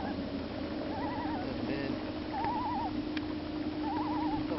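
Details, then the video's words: Common Loon on Squaw Lake, Wisconsin, gives three short, quavering, laugh-like bursts about a second and a half apart, as a boat passes in front of it, over a steady low engine hum. "loon call on the water"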